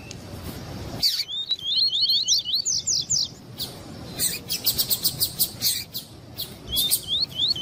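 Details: Double-collared seedeater (coleiro tui tui) male song with a female calling, played to excite males; a run of rapid looping whistles, a pause, a volley of sharp repeated chips, then more rising whistled notes.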